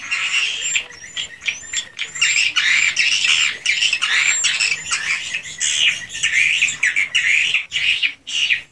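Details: Unedited recording from a swiftlet house: crowded swiftlets give harsh, high chirps and squeaky twitters in uneven bursts, with occasional thin whistled slides.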